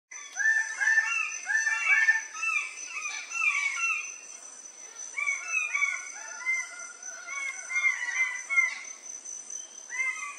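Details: Red birds-of-paradise at a lek on Waigeo, Papua, in July 2024: a dense chorus of loud, hoarse, downslurred calls, several males overlapping in quick bursts, over a steady high insect whine.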